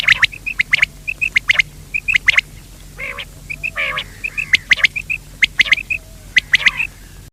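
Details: Calling quail, male and female: rows of short whistled pips alternating with sharp clicking bursts, with a few lower nasal notes in between.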